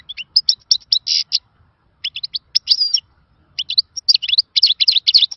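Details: European goldfinch delivering the rare old khalawi song type, described as good for training. Quick chattering notes, a short buzzy note near the first second, then liquid twittered phrases after a pause.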